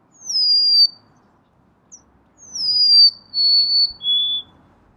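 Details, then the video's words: Golden-crowned sparrow with a sweet, sad whistled phrase: a long falling note, a pause, then a falling note that runs into a steady note and ends on a lower third note. Surroundings are quiet. "Bird Natural Sound.Golden crowned Sparrow"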